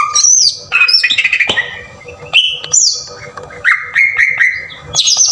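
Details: Lure recording of a green leafbird singing in the coarse 'tembakan kasar' style: high slurred whistles alternate with harsh chattering bursts and sharp clicks, then a run of repeated mid-pitched whistled notes and a high closing phrase.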